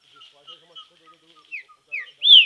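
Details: Green-winged saltator in song training outdoors: soft background chatter and faint repeated notes, then three loud whistled slurs building to a strong final arched whistle.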